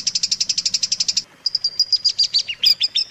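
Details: Long-tailed shrike song used as a training recording for other shrikes: a fast run of high buzzy notes breaks off, then varied chirps and short whistled notes with down-slurred phrases follow.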